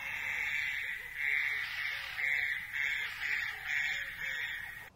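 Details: A Grey-headed Bushshrike in Southern Africa gives its territorial call: harsh, nasal, buzzy bursts in a steady run about once a second, with no other clear sounds.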